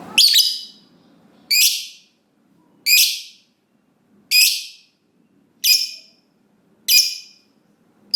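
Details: Lovebird in long ngekek chatter, used as a training lure for other lovebirds: seven harsh, shrill, rasping bursts repeated roughly every 1.3 seconds, fairly evenly, with quiet gaps between.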